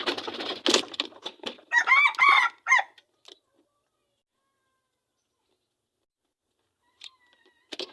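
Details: Red junglefowl, wild, in the Seulawah forest of Aceh Besar, Aceh. Rustling and knocks lead into a short, abrupt crow of a few strained, harmonic syllables lasting about a second. Near-silence follows, then faint clicks.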